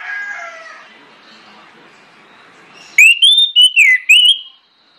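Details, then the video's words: Faint bird chatter gives way to a loud, clear orange-headed thrush phrase, a lure to draw other birds into song: five or six whistled notes rising, dipping and looping. "PANCINGAN ANIS MERAH NGEPLONG NGOTOT YANG LAIN AUTO NGIKUT"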